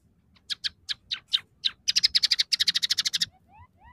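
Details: Scaly-breasted munia in full song, mixing in tree sparrow, red siskin and canary phrases: spaced buzzy chips speeding into a fast rattling series of pulses, ending with faint thin rising whistles.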